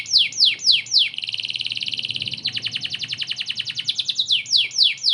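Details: Canary in full song, meant as tutor song for white-rumped shamas: loud downslurred whistles, then a fast buzzy trill and a slower run of repeated notes, ending with descending whistles again.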